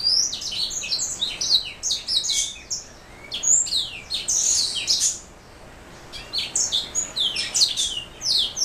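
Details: Black throat mule, a canary hybrid, singing a fast, varied warble of high sweeping notes and buzzy trills in bursts, with a brief pause near the middle.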